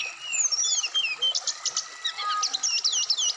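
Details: Singing of a black-throated laughingthrush (SRDC) meant to coax out wikplong notes and a varied full song. It begins with descending whistled slurs, then gives quick repeated buzzy strokes and high twisting chirps, roughly five per second.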